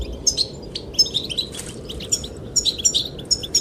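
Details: Goldfinch singing to attract the female: scattered, sharp, high chirps and short twittered runs, over a low, steady wind.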